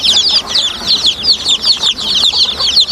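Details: Crowd of baby chicks chirping nonstop, shrill short peeps overlapping in a thick high-pitched chatter that swells and dips in loudness every fraction of a second.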